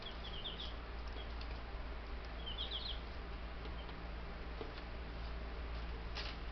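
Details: Buff Brahma chicks, ten of them, in a homestead bird yard on May 6, 2019, a few days after arriving by post; two short bursts of high thin peeps over a steady low hum.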